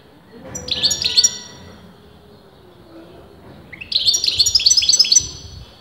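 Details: European goldfinch whose sex breeders dispute, giving a short twitter, a pause, then a longer phrase of quick repeated bright notes beginning with a rising slur.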